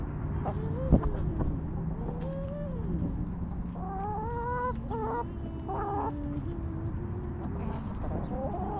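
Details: Hens resting in a backyard coop give long, wavering harmonic calls and scattered clucks. One sharp knock sounds early, over a faint background hum.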